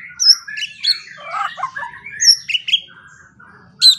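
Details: White-rumped shama training song for morning and evening, short bursts of scratchy chirps and high whistled notes with brief pauses, over a faint low hum.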